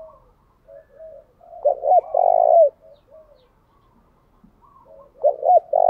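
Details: Captive decoy spotted dove calling wild doves in, 'thúc gù' style, repeatedly switching patterns. Two loud phrases, each a sharp double note then a long deep coo, are separated by about three seconds of soft murmured coos.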